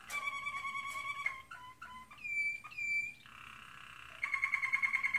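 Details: American Singer canary in training, singing: a held whistled trill, short chipping notes, two clear upward-swept whistles, then a rapid pulsed trill at the end.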